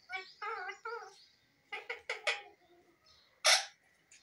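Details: Indian ringneck parrot talking: several clear, voice-like harmonic syllables in quick succession, then a few rougher clipped notes and one loud, harsh squawk near the end, with quiet gaps between.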